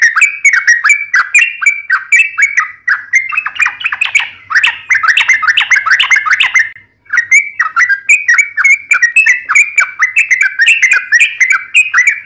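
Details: Yellow-vented bulbul in fierce wild-style fighting song, sung fast: dense bubbling chatter of bright rising and falling whistled notes with crisp clicks, nearly nonstop, one brief pause midway.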